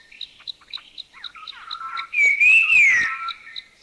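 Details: A puff-throated babbler from Thailand gives low chuckling and churring notes, then one strong, drawn-out whistle that climbs and drops. Quick, regular insect ticks sound in the background.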